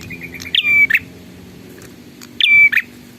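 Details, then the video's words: Loud whistled notes from a bar-winged prinia: a short chirp series leads into a strong, level whistle that ends in a rough buzz, given twice about two seconds apart over a low hum. "suara burung prenjak super gacor"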